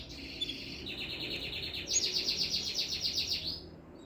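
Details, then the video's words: Canary singing a rapid, even trill of buzzy notes that steps upward partway through and then fades. A faint hiss lies underneath. "Burung samure"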